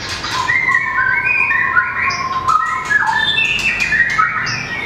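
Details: A white-rumped shama performing contest song, tail flicking as it runs the perch: a dense stream of varied whistles climbing and falling through several pitches, interspersed with brief sharp clicks.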